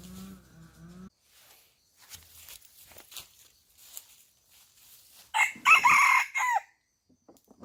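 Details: Chicken farm rooster: a low nasal call, then quiet scattered sounds, followed by a loud, rough, broken crow about a second long near the end.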